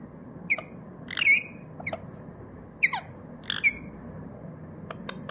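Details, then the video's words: Pet rose-ringed parakeet calling naturally: loud, harsh, ringing squawks with downslurred tails, irregularly spaced, plus a few faint clicks near the end. "RINGNECK PARROT NATURAL SOUND"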